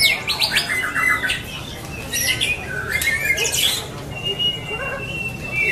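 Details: Singing-contest recording of a white-rumped shama in Lampung. High, clear whistles and rapid trills switch quickly in pitch, ending in longer level whistled notes, with a soft murmur of background noise.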